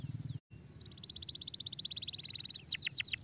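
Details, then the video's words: Canary song meant to prompt a lazy canary into singing: after a brief pause, a long fast trill of short notes, followed by a few loud descending whistled notes, over a low background hum. "Nice canary! Highly effective at stimulating the sound of a lazy canary"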